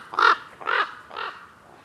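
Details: Wild common raven calling in acacia woodland: three harsh, hoarse croaks about half a second apart, each fainter than the one before, on a quiet background.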